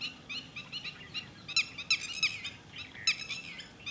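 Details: Series of piercing red-wattled lapwing notes recorded at Thol bird sanctuary, softer calls giving way to several louder, emphatic ones, with low background hum.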